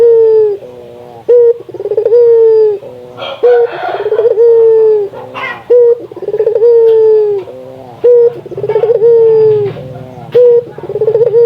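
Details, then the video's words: Indonesian puter dove calling to stimulate other doves: repeated cycles of short sharp notes, rolling trills and long falling coos, about every two and a half seconds, with brief rustling noise midway and a faint low hum. "Suara burung puter lokal gacor, merangsang burung puter agar rajin bunyi"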